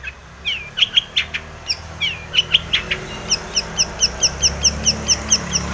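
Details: Long-tailed shrike in breeding condition, singing a mimicry-filled lure song: several sharp slurred whistles, then an even series of about a dozen crisp high chips repeated rapidly to the end.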